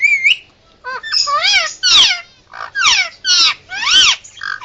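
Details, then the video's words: Indian ringneck parakeet kept as a pet, emergency sounds: a short warbled whistle, then a run of harsh, arching squawks about every half second, loud and raspy. "Indian Ringneck making Emergency Sounds"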